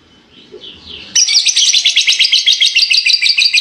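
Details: Fighter lovebird giving its long ngekek, a trilling song. After a second of soft, faint chatter, it bursts into a loud, rapid, high chattering trill of fast repeated notes. The trill runs unbroken for over two seconds.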